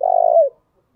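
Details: Spotted dove cooing, used as a lure to attract other doves: one short, low, slightly wavering coo that drops at the end, then silence.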